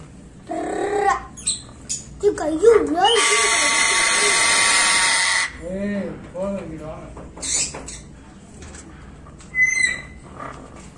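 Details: African grey parrot getting angry: a harsh, buzzy screech held for about two seconds, surrounded by wavering, speech-like warbles, whistled notes and short squawks.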